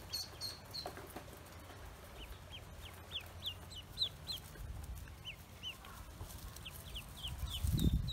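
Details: Newly hatched Pekin ducklings on a farm give thin, high peeps in scattered runs, some bending downward, over a steady low rumble and occasional knocks.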